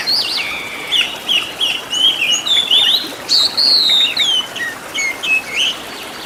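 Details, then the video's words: Oriental magpie-robin singing a master track meant for training caged birds, with 'isian tembakan' fill-ins: a rapid sequence of clear whistled slurs and short chirps, some buzzy, in fast irregular phrases. "MASTERAN BURUNG KACER FULL ISIAN TEMBAKAN MEWAH LENGKAP"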